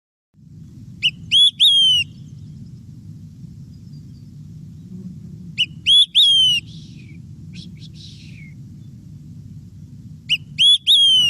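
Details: Olive-sided Flycatcher, a bird of spongy softwood and red maple forest in New Brunswick, sings three times, roughly every four and a half seconds: a sharp 'quick' then two loud whistled slurred notes, 'three beers', over a steady low hum.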